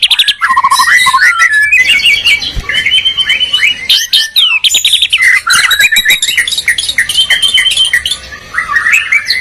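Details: Dueling white-rumped shama from Medan and Borneo, a bird that defends its territory strongly: long continuous song of varied whistles, rattling trills and mimic-like phrases, loud and dense throughout.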